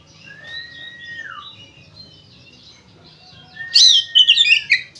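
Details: Oriental magpie-robin in lively fighting-style song, played to make other magpie-robins sing: faint thin whistles at first, then a loud, dense second-long burst of warbling, chattering high notes.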